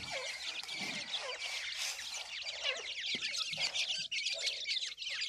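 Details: Grey francolin chicks crowd-calling as they are fed, a steady wash of many high, rapid chirps and squeaks with occasional lower, softer notes underneath.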